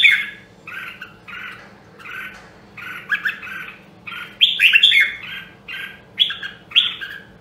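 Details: Voice-training song of a red-whiskered bulbul from Nam Đông, Huế: a long series of short, throaty warbled phrases, repeated steadily, building to louder ringing whistles in the middle.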